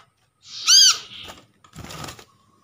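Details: Brown-throated sunbird lure call taken from a trapped bird, used to draw in birds and set silent birds calling: one loud, sharp, high squeaky note arching downward, followed by a brief rustling burst and a faint thin whine.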